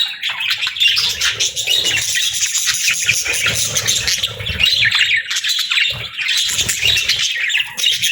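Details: Lively budgie chorus of rapid, overlapping chirps and warbles, rising and falling in intensity across eight seconds.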